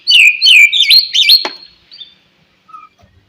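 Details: Morning phrase of a white-rumped shama meant to trigger other shamas' singing: a rapid series of looping, zigzag whistled notes lasting about a second and a half, then near silence with a faint distant whistle.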